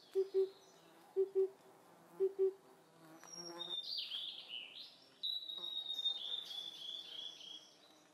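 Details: Oriental cuckoo double hoots open, then a wild blue-and-white flycatcher in Khingan Nature Reserve, Amur Oblast, Russian Far East, sings high warbling whistles that dip and rise, ending in a long steady whistled note.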